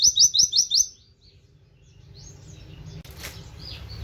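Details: Oriental white-eye, a cage bird imitating canary notes as a tutor for others, gives five quick high buzzy chirps within a second, then faint chirping and a brief flutter of wings.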